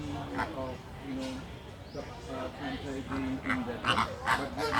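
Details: Resting greater flamingos (Phoenicopterus roseus) give loud, nasal, goose-like honks, several birds overlapping in a busy chatter of two or three calls each second.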